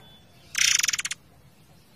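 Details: Forktail in a songbird training recording over flowing water: a single loud, dry burst of rapid pulses lasting just over half a second, the pulses slowing and weakening toward the end.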